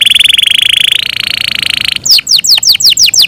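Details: Yorkshire canary kept in captivity delivering a long, even rolling trill that steps up in pitch halfway, then breaks into a string of rapid falling whistled sweeps.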